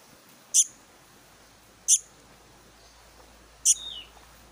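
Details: Young Black-naped monarch calling with three sharp, high, hissy bursts spaced roughly one and a half seconds apart, the last followed by a thin falling whistle from another bird.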